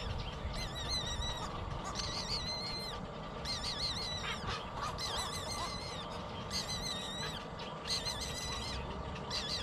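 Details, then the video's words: Baby bird begging for food until it falls asleep: spaced bursts of shrill, wavering squeals, each about a second long and coming every two seconds or so, with steady low rumble behind. "Poor baby bird cries baby food until it falls asleep"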